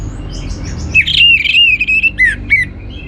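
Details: Song of an orange-headed thrush used to stimulate other birds to sing: a sustained, wavering whistled phrase with quick trills, ending in a couple of sharp downslurred notes, over steady low hum.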